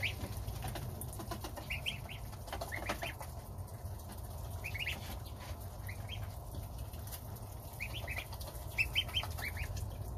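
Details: Domestic goslings eating their starter ration with the mother goose while the father goose stands guard outside. Short, high, rising peeps come in small clusters throughout, over a steady low rumble.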